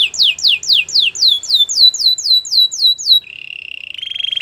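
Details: Singing canary, recorded to coax other canaries into song: regular falling whistled slurs about four per second, then a low buzzy trill that rises slightly in pitch.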